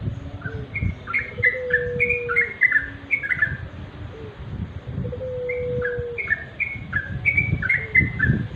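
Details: Sooty-headed bulbul singing naturally at dusk, bursts of quick fluty slurred notes in two phrases, while a steady lower whistled tone sounds twice in the background alongside faint rumble.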